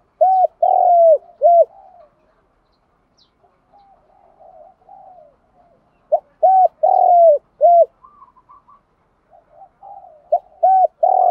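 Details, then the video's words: Male and female spotted doves cooing to rouse rival doves; low three-part phrases, short note, long falling coo, short note, repeated twice with quiet soft cooing in the gap and a faint higher trill. "cu gáy kích bổi nhanh nổi gù, tiếng thúc đấu rút bổi"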